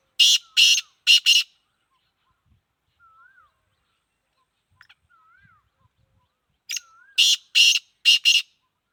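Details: Sindhi black francolin (kala teetar) for sale, repeating its harsh call: phrases of about five grating, clipped notes spaced roughly six seconds apart, with faint soft whistled notes in the quiet between.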